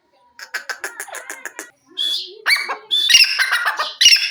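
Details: Grey francolin giving a quick run of short clipped notes, a brief pause, then loud harsh ringing calls with high whistled overtones that grow stronger toward the end.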